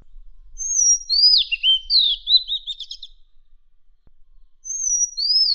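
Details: Madagascar magpie-robin singing material for training contest birds: a thin high whistle, then sweeping slurred notes dropping and rising, ending in a quick stuttering series; after a pause, the whistled opening returns.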